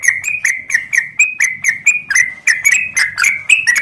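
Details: Lure recording of a yellow-vented bulbul (trucuk) singing 'gacor' ropel style, Klaten: continuous, fast, bright chirping notes, each sharply struck then sliding down, repeated about twice a second with uneven spacing, over faint low background noise.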